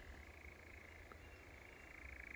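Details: European nightjar churring in the distance at Wiggonholt Common around 9:15–9:30 in light drizzle, possibly on the ground, with at least two birds present. A faint, steady, rapidly pulsed mechanical trill over a low rumble.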